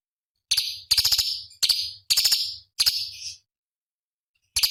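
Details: Cucak cungkok bulbul master song for competition birds: five rapid, buzzy, high chirping bursts in quick succession, each under a second, then a pause and a last note, over a soft low hum.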